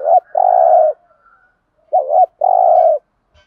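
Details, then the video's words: Spotted dove lure calls meant to stimulate other doves: two low cooing phrases, each a brief wavering note then a drawn-out steady coo, about two seconds apart. "thuc gu tho pha cu moi tho pha gu thuc gay goi"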